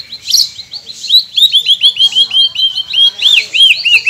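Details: White-rumped shama singing, from a masteran recording played to silent birds to make them sing: a fast run of about a dozen bright, down-slurred whistled notes, closely repeated, after a short harsh opening note.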